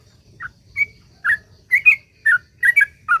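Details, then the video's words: Lure song of a sooty-headed bulbul, in the continuous 'ropel panjang' style: scattered short whistled notes, some doubled into quick pairs, growing more frequent toward the end, with a soft low murmur underneath. "suara trucuk gacor ROPEL PANJANG ampuh buat pancingan trucuk agar bunyi"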